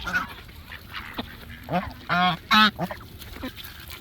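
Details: Geese honking: several loud nasal honks with rich harmonic stacks around two and a half seconds, preceded by softer scattered calls and a rustling noisy background.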